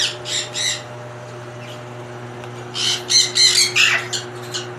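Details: Rosy-faced and Fischer's lovebirds calling to stimulate mating: a few harsh, high squawks, a quiet gap, then a cluster of shrill chattering notes over a steady electrical hum indoors.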